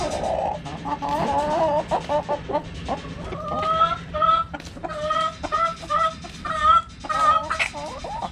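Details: Backyard hens clucking in a steady run of short harmonic notes, some drawn out and rising, others clipped, overlapping from several birds with a faint low hum underneath.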